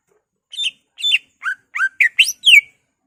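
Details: Greater green leafbird's isian-filled ngentrok song, meant to provoke other leafbirds. Seven quick, separate notes: bright whistles, then two lower slurred notes, then sharp upward and downward sweeps, ending on a long falling whistle.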